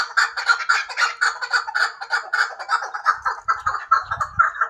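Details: A hybrid chukar partridge gives a rapid run of hoarse, chuckling syllables, each a short rasping burst repeated roughly twice a second, with faint low rumbles near the end.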